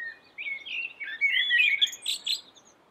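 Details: Melodious song of a yellow-billed common blackbird in full voice. Mellow whistled notes run into a bubbling warble and end in thin, high squeaky twitters.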